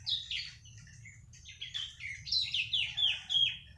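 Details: Three-month-old bar-winged prinia giving a quick series of sharp, slightly buzzy high notes, loosely repeated several times a second, over a faint low background rumble.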